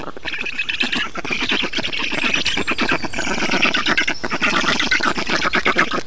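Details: Black storks at a nest in Estonia during feeding on 6 June 2019: dense, harsh, rasping calls given in rapid pulsed bursts, continuous and fairly loud throughout, with a steady outdoor background.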